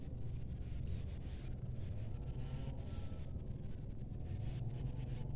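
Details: A steady low rumble of engine-like noise throughout, with no animal calls.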